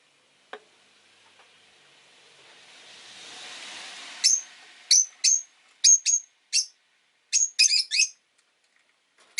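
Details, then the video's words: Indoor rosy-faced lovebirds, five in a cage beside a window: a rushing swell like a passing car fades, then about ten sharp, high chirps follow, some singly, some in quick clusters. "Lovebird Chirping Sounds"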